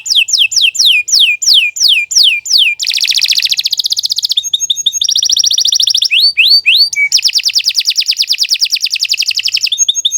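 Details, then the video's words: Canary delivering an extended tutor song: a string of loud, steeply falling whistles repeated rapidly, then long rattling trills. Brief varied phrases and upward slurs follow, leading into another sustained fast trill. "Kicau Burung Kenari II GACOR PANJANG Cocok untuk Masteran"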